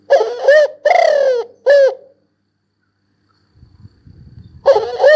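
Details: Spotted dove giving husky, low coos with a long drawn middle note, a pause with faint low rumbling, then another coo phrase.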